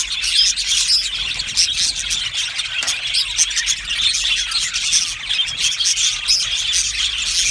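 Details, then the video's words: Aviary budgerigar colony chattering cheerfully, a thick wash of high twitters with occasional squeaky squeals rising above the continuous chirping. "Happy Budgie birds chirping sounds"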